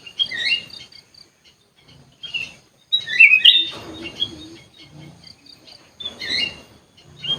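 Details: Sooty-headed bulbul housed in an aviary, uttering bright whistled phrases at intervals, with soft chirps and faint low background noise between them.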